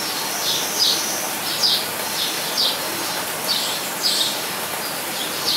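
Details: A Blue-and-yellow tanager in an aviary at Weltvogelpark Walsrode, Germany, gives short, thin, high chirps in loose pairs, repeated roughly every second over a steady hiss of background noise.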